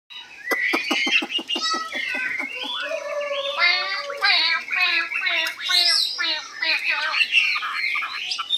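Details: Hwamei, a newly arrived bird said to be 85% tame, singing high with long phrases: a fast run of short clipped notes, then varied warbled and slurred phrases, dense and continuous.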